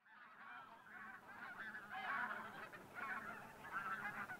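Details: Wintering bean and white-fronted geese at Teichland Linum, Brandenburg, before sunrise, a flock of over a thousand. Softer, more distant honking swells in waves around two and four seconds over a quiet background.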